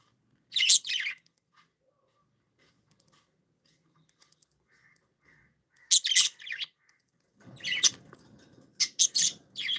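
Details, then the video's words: Cheerful pet budgerigars chirping in three loud bursts of harsh, scratchy warbling, separated by near silence with small clicks, the last burst a rapid run of chirps. "Happy budgies sound"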